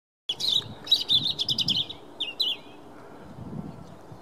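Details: A robin sings on 9 March 2017: a quick burst of high, thin, tumbling warbles lasting about two seconds, then falls quiet over a soft background hush.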